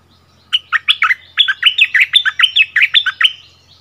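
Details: Bulbul singing in a song duel with a new resident territory holder at its old territory, February 2021; a bright, rapid run of about fourteen clear whistled and slurred notes over three seconds, bubbling and evenly paced.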